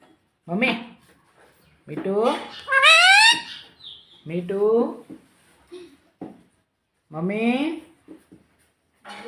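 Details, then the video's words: Talking pet parrot saying mummy papa in a small room: a few loud speech-like phrases, each with gliding, rising voice tone, spaced by quiet pauses of one to two seconds. "parrot talking mummy papa || mummy papa bolne vala parrot"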